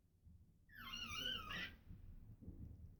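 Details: Pet African grey parrot indoors gives a single squeaky, warbling note lasting about one second, sliding up and down, over a low background rumble.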